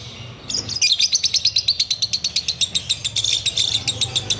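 A sooty-headed bulbul gives a fast, dry chattering run of high chips, about seven a second, held for several seconds over a faint background hum.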